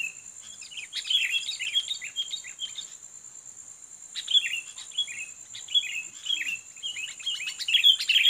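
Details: Sooty-headed bulbul, a fighting bird being lured toward a rival: two bouts of lively chirping, short dipping whistles strung quickly together with a pause near the middle, under a persistent high-pitched hum.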